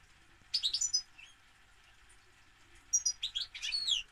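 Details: European goldfinch singing two bursts of rapid, high, tinkling twitters with fast up-and-down slurred notes, separated by a pause of about two seconds with a single soft note between them.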